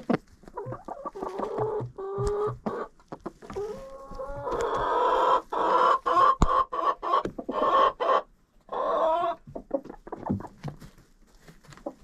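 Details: Chickens chattering in a coop, recorded with a GoPro inside: choppy clucking bursts build into a sustained, harmonically rich cackle lasting several seconds, then break back into scattered short clucks and pecking taps.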